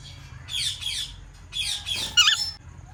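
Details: Parrot uttering two pairs of grating squawks followed by a brief shrill, quavering cry.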